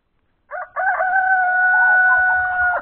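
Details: Rooster crowing, a single long harmonic crow: a short broken opening note, then a steady, even, held tone lasting about two seconds before cutting off sharply. No other clear sounds.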